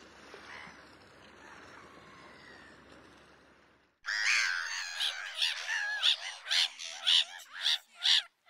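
Black-headed gulls give harsh, grating screeches, repeated about twice a second, after a quiet stretch of faint background noise.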